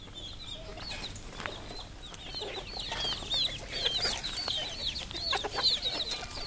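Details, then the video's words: Red junglefowl kept on a Cambodian farm, many birds giving dense, high, upswept peeping notes in rapid overlapping series, growing busier midway, with a steady low hum beneath. "red junglefowl farm Cambodia"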